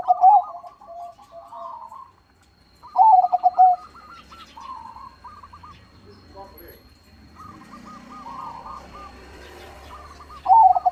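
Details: Zebra dove (perkutut) in full, loud voice: short bright stuttering coo bursts at the start, near three seconds and at the end, with quieter doves cooing and some faint voices between.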